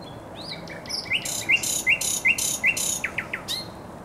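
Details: Thrush nightingale singing beside the Żerań Canal in spring, 24 April 2022: loud harsh rattling notes alternate with sharp upslurred chips at a steady pace, ending in quick descending whistles.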